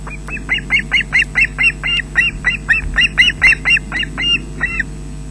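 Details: Adult osprey bringing fish to chicks at a Loch Garten nest in Scotland, 20 June 2012, early afternoon, via webcam: a long insistent series of some twenty high, clipped whistled yelps, roughly three per second, over a constant electrical hum.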